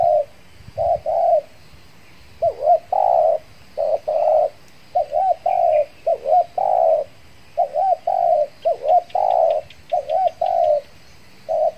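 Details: Spotted dove, a trained decoy bird taken out again after finishing its moult to attract wild doves in Riau Islands, Indonesia; steady run of low hollow coos, wavering double notes followed by held tones, phrases repeated roughly every couple of seconds.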